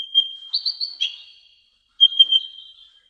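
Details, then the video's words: Brown-throated sunbird tutor recording: two short phrases of high chirps and a thin whistle, separated by a second of silence. "MASTERAN KICAUN KONIN KOLIBRI NINJA"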